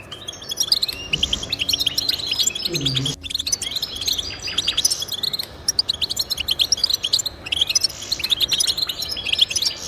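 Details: Goldfinch twittering played to motivate pet goldfinches, a dense stream of high chirps and trills; a brief low sound and a sharp click interrupt around the third second.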